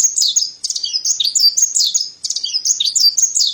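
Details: Mountain white-eye, called white-breasted pleci, pours out a dense, jumbled twitter of high squeaky notes and quick slurs, pausing briefly midway before resuming just as busily.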